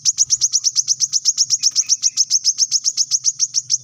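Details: A continuous fast series of piercing high chip notes, roughly six per second, from a brown-throated sunbird used as a training model for captive birds, with a low background hum.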